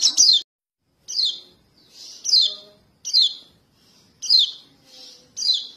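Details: Young white-eye (kecial kuning, pleci, yellow-breasted Bali type) calling its parents, used as a trapping lure: sharp, high, downslurred chirps repeated roughly every second, with softer buzzy notes between and a faint low hum.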